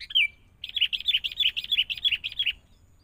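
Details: Sooty-headed bulbul from the forest, kept for training with a lure bird, gives one slurred whistle, then a fast even string of about fifteen bright chirping notes.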